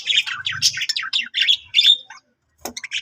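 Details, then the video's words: Pet budgie chattering: a fast run of high chirps and buzzy notes that ends in a drawn-out whistle, followed by a short silence and a sharp click before the chirps resume. "singing budgie budgie sounds |budgie voice Love budgie parakeets chirping sounds"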